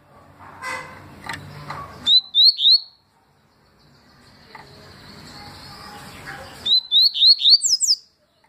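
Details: Tui-style song of a papa-capim, or yellow-bellied seedeater, from 2020: two bursts of sharp upslurred whistles, three then about six in fast succession, separated by a stretch of soft background chatter.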